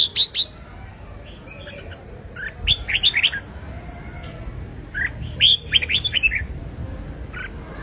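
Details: Red-whiskered bulbul competitive singing intended to provoke a wild-caught bird: several bursts of fast chattering, warbled whistles with brief pauses, against a low constant hum.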